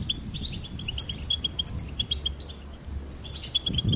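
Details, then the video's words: Singing goldfinch giving repeated short, clear whistled notes on a steady pitch, mixed with scattered higher tinkling chirps, over noticeable low-pitched background rumble. "Goldfinch Singing and Song Compilation"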